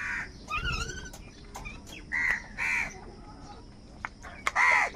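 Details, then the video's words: A few raspy crow caws spaced irregularly, with brief clicks between them and a louder final caw, from crows fighting for food. "Crow sound of kaka - Kaka sound and noises of crow birds | Different kauwa ki awaz"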